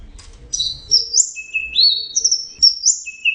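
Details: Orange-headed thrush singing: clear whistled phrases alternating high and lower pitches, some rising slurs, with short pauses between notes and faint low background rumble.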